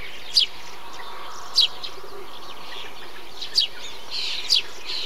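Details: A Eurasian tree sparrow at a bee-eater colony utters single abrupt chirps at uneven intervals, four in all. Softer, burry calls of other birds drift in between.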